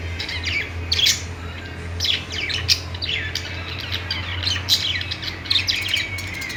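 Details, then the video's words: A group of budgerigars chatters with rapid, high, rising chirps and squeaks in short bursts. A constant low hum sounds beneath them. "budgies sounds | parakeet chirping sounds"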